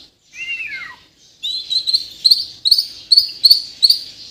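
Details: White-rumped shama of Borneo, from Kalimantan, kept in a cage: a descending whistled slur, then a series of bright high chirps repeated about twice a second.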